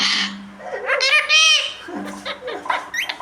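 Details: Pet parrot speaking in quick, nasal, voice-like bursts and a few sharp squeaky notes, with human laughter and chuckling around it.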